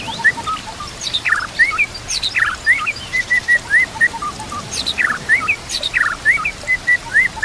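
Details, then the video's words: A fighter-type white-rumped shama sings lively and varied against natural background sound. Low whistled notes mix with sharp descending sweeps and bright upslurred whistles, repeated in quick, uneven bursts. "murai batu gacor full isian"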